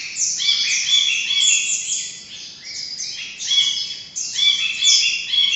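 Ashy bulbul giving bright, high chattering calls in quick overlapping bursts, nearly continuous with brief dips, no other sounds heard.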